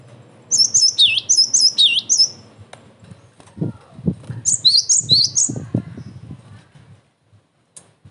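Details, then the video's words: Energetic cinereous tit song used as a lure for rival tits and as a tutor recording: two bursts of rapid, piercing whistled notes, each swooping down and back up, separated by a pause filled with low thumps and rustling. "TIDAK ADA SEMENIT GELATIK BATU MANAPUN PASTI NYAUT"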